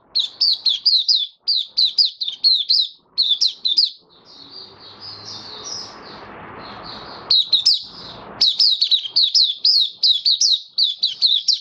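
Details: Caged white-eye in full open song, recorded 18 May 2022 following regular deworming. It repeats rapid clusters of high chirps in the opening seconds, has a softer twittering stretch with faint background rumble, then resumes fast, insistent high notes.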